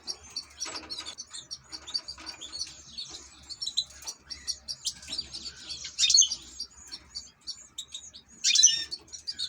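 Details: Ornamental European goldfinch giving a long, continuous twittering song of bright high chirps and liquid trills. Two louder, denser flourishes come near the end.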